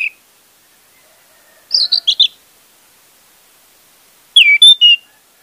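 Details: Orange-headed thrush singing, used as a lure for a thrush that has stopped singing: separated phrases of quick clear notes, one phrase of four chirps, another of whistled, slurred notes ending in a trill, with clean silence between.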